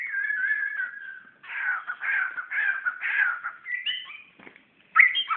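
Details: In Brunei in 2013 a magpie-robin sings against its mirror reflection: a drawn-out wavering whistle, then grating, scratchy phrases in bursts, ending with bright high whistles.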